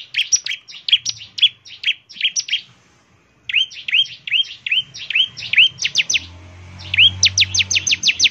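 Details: Bar-winged prinia song, a recording to lure prinias into singing: long runs of sharp downslurred whistles and buzzy notes, ending in rapid high upslurred strokes, with a low hum underneath.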